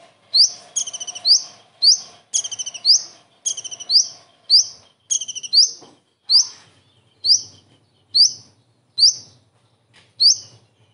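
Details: Common iora singing a song filled with kingfisher imitations, a recording meant for tutoring other songbirds: sharp upward-sweeping whistles repeated about every second, broken by quick stuttered rattling bursts early on, then spaced single notes.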